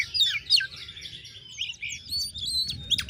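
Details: Kacer (oriental magpie-robin) singing narung nembak material meant to bait rival males, giving a rapid jumble of thin whistles, short chirps and upward-sliding notes with little pause between phrases.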